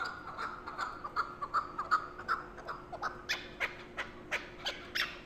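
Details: Chukar partridge uttering an evenly paced string of clucks, roughly three each second, shifting from lower, softer notes to sharper, louder ones in the second half.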